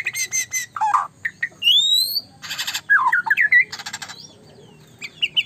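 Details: White-rumped shama giving a mixed sequence of harsh rasping bursts, rising whistles and quick slurred notes, separated by short pauses.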